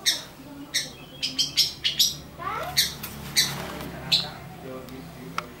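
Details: Long-tailed shrike making an unusual call: a series of sharp, explosive chip notes at uneven intervals, with one soft, rising, slurred note near the middle.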